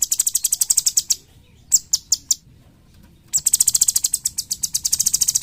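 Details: Cucak cungkok bulbul used to train songbirds. Dense, rapid bursts of shrill high ticking are separated by a few isolated chirps and a brief silence before the fast run returns.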